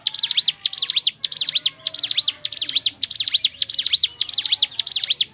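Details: Ciblek gunung (crescent-chested babbler) giving its natural song to coax other birds into singing: quick groups of high swooping whistles, each note dipping then rising, repeated steadily.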